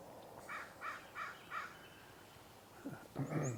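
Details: American crow (Corvus brachyrhynchos), a couple flying through over a marsh in the morning, giving four harsh, hoarse caws in quick, even succession, about three a second, followed by a person's cough and throat-clearing.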